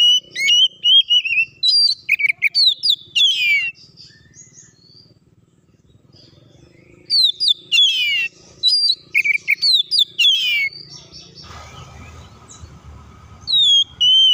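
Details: Oriental magpie-robin in full, varied song, used to goad other birds into singing and fighting. Dense bursts of sharp whistles, trills and chattering notes, a quiet pause midway, then more phrases over faint rustling.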